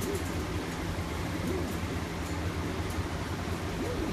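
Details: Soft, low rolling coos of Oriental Frill pigeons (blondinette, satinette, seraphim varieties) come roughly every second or so, over a steady low hum.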